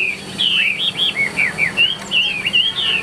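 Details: Caged Chinese hwamei in 'ngũ trường' song: quick, clear whistled phrases, each a short rising-then-falling slur, strung together rapidly over about three seconds.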